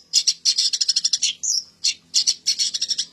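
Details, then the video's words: Rapid, harsh, high-pitched chattering from a long-tailed shrike, given in two-to-three quick bursts with a short slurred whistle between them. "suara burung cendet isian mantan"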